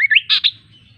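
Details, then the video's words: Kaso kaso bird singing sweetly: a brief run of bright chirped notes, two quick rising whistles then two louder buzzy bursts within half a second, fading into quiet with a faint low hum beneath. "Suara Burung Kaso Kaso | Ocehan Burung Kaso Kaso | Kaso Kaso Bird Sound"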